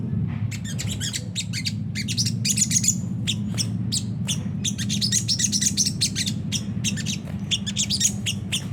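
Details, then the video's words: Sunda whistling thrush in rough chattering 'ngriwik kasar' style, played as a lure to provoke caged birds into singing: dense bursts of sharp, scratchy high notes in rapid clusters with brief pauses, over a steady low hum. "pancingan jernih suara sogon ngriwik kasar"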